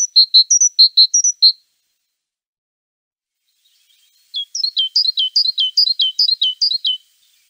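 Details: Great tit uttering a quick run of high, ringing paired notes and higher whistles, then after a gap a rapid series of sharp, descending two-note chips.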